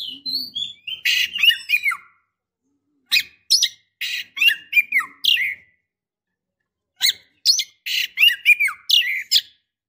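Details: Female white-rumped shama calling a male while in breeding condition. Rapid runs of harsh rasping notes mixed with downslurred whistles come in three lively bursts separated by brief silences.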